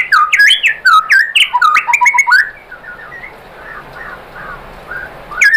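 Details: Lure song of a white-rumped shama, used to get other shamas singing: energetic rapid whistled and chattering notes for over two seconds, then faint distant phrases before a final burst.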